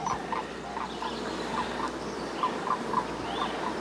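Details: Distant sandhill cranes near a hayfield on 5 June give rolling, trumpeting notes in loose, quick bursts, half-buried under a steady buzzing hum of bees and outdoor background noise.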